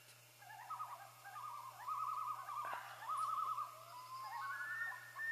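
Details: Common loons announcing the hatch of the first baby loon, giving overlapping tremulous, yodel-like wavering calls that rise and fall in a near-continuous run, with a steady low hum beneath.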